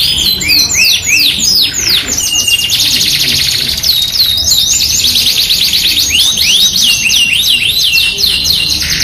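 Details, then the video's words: Yorkshire canary in energetic song for a masteran: looping whistled sweeps alternate with long buzzy rolls, the phrases changing every second or two, bright and continuous. "MASTERAN KENARI 2 IN 1 | KENARI GACOR YORKSHIRE FOI21 VS AF CENGKOK MEWAH | PANCINGAN KENARI AMPUH"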